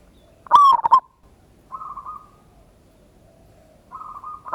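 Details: Local Indonesian zebra dove, recorded 16/11/25 singing a ngayer kerot nutut lure song: a sharp loud double coo, then soft rolling trills that start the next phrase.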